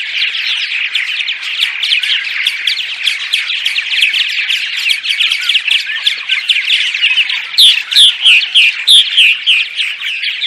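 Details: Purple martins chattering by day, a lure for martins during migration: a busy, rapid run of gurgled chirps from several birds, followed near the end by a series of clear, loud downslurred squeaks.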